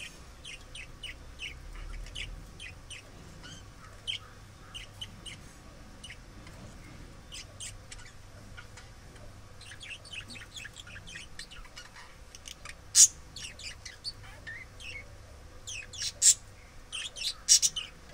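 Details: Budgerigars selecting a pot to lay eggs in chatter with rapid, high, scratchy chirps and occasional sharp squeaks.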